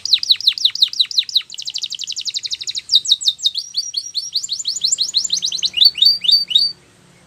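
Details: Training song of a canary for young birds: quick descending notes, then a fast high buzzing trill, followed by rapid repeated tours of slurred chirps before falling silent.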